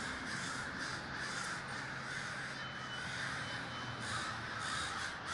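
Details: Crows massed in a big communal gathering at Davis, California; a crowded, unbroken chorus of grating caws from numerous birds, with a faint low drone underneath.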